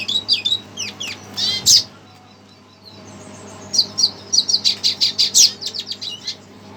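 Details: Reacting to playback, a red siskin gives a quick chattering phrase ending in a loud buzzy note, falls silent for about two seconds, then resumes with evenly spaced high chirps.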